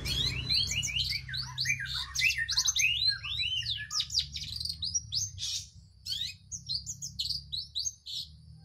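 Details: Vigorous song of a long-tailed shrike: rapid mixed phrases of whistled slurs, sharp chips and rattling chatter, changing constantly, with a faint steady low hum behind.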